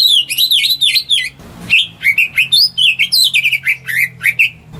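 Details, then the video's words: Captive house-kept greater green leafbird singing, used as a lure to get silent birds singing; fast, varied warbling of bright whistled and slurred notes, broken once by a short burst of noise. "Cucak Ijo Rumahan Yang Cocok Buat Pancingan Burung Macet"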